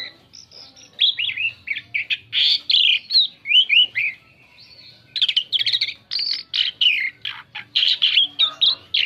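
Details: An Asian pied starling delivers a lure song for drawing in other birds, a lively chattering medley of quick squeaky chirps and twangy whistles in two dense bursts separated by a brief lull.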